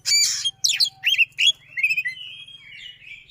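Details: White-rumped shama song with strong, fast delivery: harsh, scratchy notes and upslurred whistles open the phrase, which fades into a thin, wavering whistle, over a faint low hum.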